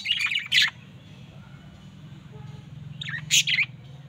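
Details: Two budgerigars, a pair, give two short bursts of bright, scratchy high chirps about three seconds apart over a low background hum.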